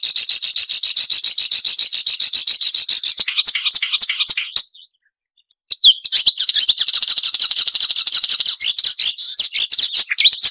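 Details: Marsh warbler song for training songbirds. A very fast, even, high trill gives way to scratchy, varied chatter. After a short silence, a long, dense, sharp warble follows.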